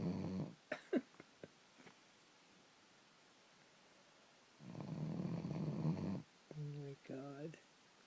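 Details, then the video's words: Young common raven, five to six months old, snores in a coarse, low, rumbling burst of about one and a half seconds, with a person talking before and after it. "Raven snoring!"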